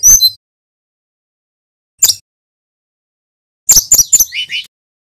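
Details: Brown-chested jungle flycatcher from Bali, a young male still learning to sing. Two brief, separated high chips come first, then a rapid phrase of shrill notes sliding down into softer, lower buzzy notes.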